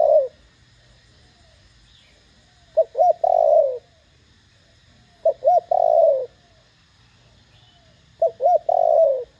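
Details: Spotted dove with a loud 'thổ đồng' voice cooing to stir other doves to call back; mellow phrases of two short notes and a drawn-out descending coo, three phrases roughly every two and a half seconds.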